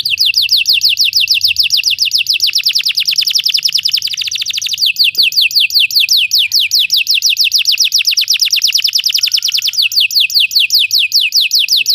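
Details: Belgian canary song played to make other canaries sing, an unbroken, very rapid trill of high falling notes lasting the whole stretch with slight changes in pace.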